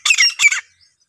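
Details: Female black francolin, known locally as desi teetar, giving two harsh, broad squawking notes in quick succession, each under half a second, the second slightly shorter, followed by silence.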